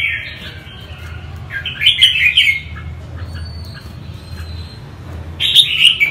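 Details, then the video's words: Northern-type Red-whiskered bulbul singing: short bursts of bright warbled notes with quick chattery elements, separated by pauses, over a low background rumble. "chim chào mào bắc hay nhất."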